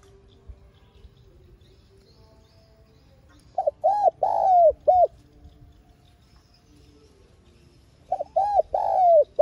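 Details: Spotted dove used as a trapping lure, calling and urging: after a quiet start, a phrase of three to four rounded coos with a long sagging middle note, repeated once more near the end over faint background hum.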